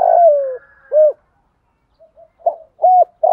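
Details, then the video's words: Spotted dove cooing to lure wild doves: a long, low coo sliding downward, then a short arched coo. After a pause come soft fragments and another clear arched coo, with the start of a further coo at the end. "tiếng gáy gọi bổi nghe rất nhanh nổi"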